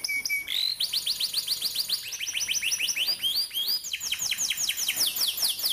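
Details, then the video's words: A canary used as a training song for young canaries sings a fast, bright rolling song of rapid repeated chirps, each high note sweeping down, the pace quickening into trills. "Burung KENARI GACOR NGEROLL||PANCINGAN KENARI PAUD MUDA HUTAN CEPAT BUNYI NEMBAK"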